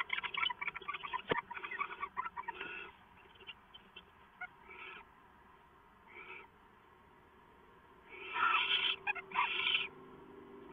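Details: A pair of owls bonding at 4:27 AM on 22 September 2014, just before going off to roost for the day: rough, hissing screeches in bursts, with a louder run of harsh calls near the end and quieter rasps between.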